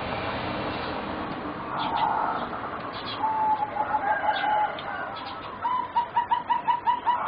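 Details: Competition-bred singing zebra doves, four juveniles roughly 3.5 to 4 months old: a short coo, then a drawn-out trilled phrase, ending in a quick series of evenly spaced staccato beaded notes.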